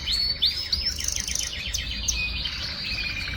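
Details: A young canary held for breeding sings a continuous, rapid song of repeated descending trills and whistled notes, about three per second, in a quiet room with low background hum.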